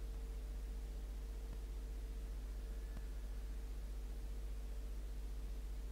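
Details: Constant hiss and low hum with a steady tone throughout, and no animal calls.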